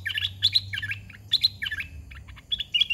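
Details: Caged red-whiskered bulbul in training, bird 61, delivering 'soe pa' phrases; loud rapid whistled warbles of a few notes each, repeated several times in three seconds with a faint low hum behind.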